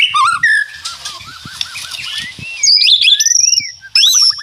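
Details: White-rumped shama in full rattling song, described as answering each other: varied whistled phrases, sweeping slurs and a quick run of repeated notes near the end, with brief pauses between bursts.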